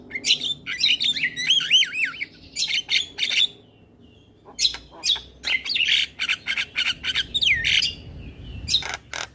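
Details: Male Black-winged starling singing a full song for training young starlings: looping whistled warbles, sharp clicks, buzzy bursts and a rising slurred whistle, separated by a short quiet gap.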